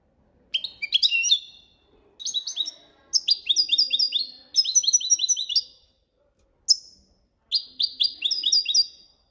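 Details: Copia malaga style training song of a European goldfinch, given in separate bursts of fast tinkling, downward-slurred notes, several phrases of one to two seconds with short silences between.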